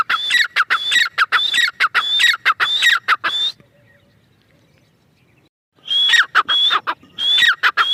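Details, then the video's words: Female grey francolin, a run of loud grating notes with high whistled tops falling to raspy lower parts, delivered quickly for several seconds, a pause of near silence, then the series starts again. "female teetar sound"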